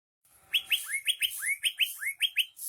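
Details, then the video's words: Greater green leafbird singing vigorously: a fast series of bright downslurred whistled notes, about four per second, each topped by a harsh, hissy overtone, with the notes alternating slightly in pitch. "Burung Cucak Hijau Gacor"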